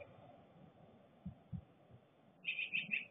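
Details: A black-capped chickadee sings in the morning, a quick run of four short, slightly buzzy notes at the end, over low rumbling background noise and a few soft thumps.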